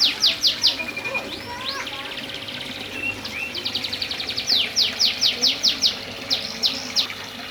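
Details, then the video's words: Canary singing vigorously and continuously. Rapid trills of high, sharply falling notes come in bursts, interspersed with short whistles and chirps, with a faint low background hum. "Burung kenari gacor"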